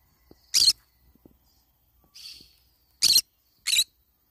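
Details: Green-cheeked conure while eating banana leaves: four harsh squawks, one softer and buzzier, separated by quiet moments with faint tapping.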